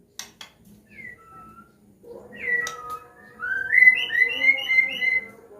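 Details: White-rumped shama from Medan, a bird with a combination song used to teach young birds learning to sing: varied whistled phrases, slurred notes rising and falling, then a quick series of bright rising whistles, with a steady low hum beneath.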